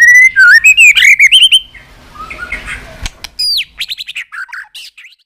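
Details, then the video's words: White-rumped shama giving 'tạch' song, used to rouse weak-spirited shamas; fast warbling whistled phrases climbing in pitch, a quiet gap with faint rustling, then a burst of sharp descending whistles and rapid chattering clicks. "Chòe lửa tạch liên tục"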